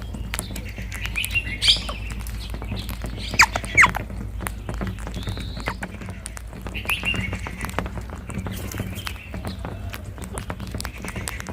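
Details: Rose-ringed parakeets, green parrots, sitting together on a tree in India: a few harsh, shrill screeches in the first four seconds, then scattered softer chatter over steady crackling background clicks.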